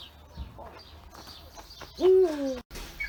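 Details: Single European eagle-owl hoot: a deep, slightly falling note lasting about half a second, sounding once near the end, with faint high bird chirps and light background hiss.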